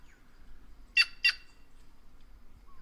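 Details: One abrupt pair of loud, scratchy notes from a white-naped jay, a crow-family bird of the Brazilian caatinga, followed by a brief faint whistle.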